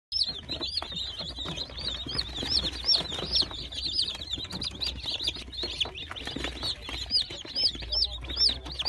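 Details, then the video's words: Young Brahma chicks give a continuous chorus of high, shrill peeps, each a short arched note, many overlapping at about two per second, with soft rustling and scratching sounds underneath. "YENİ BRAHMA CİVCİVLERİ"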